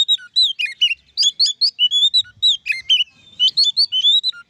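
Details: Oriental magpie-robin singing to provoke other magpie-robins into singing: loud, varied whistled phrases, rapid slurred notes and chirps, shifting up and down without pause.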